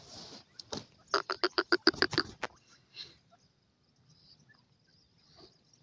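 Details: Partridge calling: a rapid burst of about ten harsh, rich clucking notes packed into just over a second, followed by a couple of fainter notes and then near quiet.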